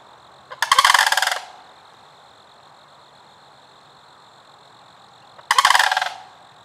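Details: Sandhill cranes calling at Kensington Metropark, Milford, Michigan, with two harsh, trilled, rattling bugles nearly five seconds apart against quiet steady background noise.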